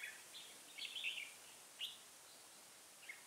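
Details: Red-whiskered bulbul, a first-brood bird with a dark bib, recorded during trapping with a decoy bird on 3 October 2018: a quiet burst of quick warbled notes, then two short isolated chirps, over steady background hiss.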